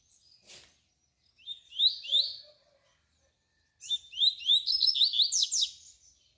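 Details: Double-collared seedeater (coleiro), tui-tui song type played as a tutor for young birds, sings two quick bursts of high, sweeping, slurred notes, the second longer and denser, after a brief click.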